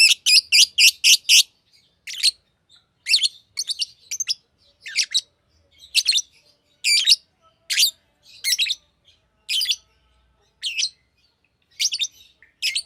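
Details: Green lovebird chirping busily: a fast run of six sharp, high chirps, then a steady stream of harsh, buzzy chirps and squeaks at an uneven pace.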